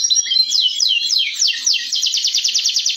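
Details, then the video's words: Local canary's masteran therapy song: a series of swooping slurred notes that speed up into a fast, dense rattling trill. "masteran terapi suara kenari lokal"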